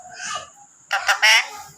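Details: Owner-prompted parrot mimicking a cat: a faint hoarse note, then a burst of three harsh, rising-and-falling meow-like cries in quick succession over a constant high-pitched whine.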